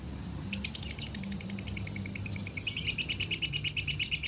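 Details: Lovebird from Salatiga, Indonesia, singing in the konslet style used as masteran training: after half a second of quiet, a fast run of high, sharp chirps repeated about three times per second, growing steadier, over a low background hum.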